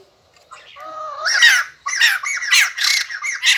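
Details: White-crested laughingthrush, which sings and dances all day after eating geckos. A drawn-out rising squeal gives way to loud, rasping squawks in quick succession.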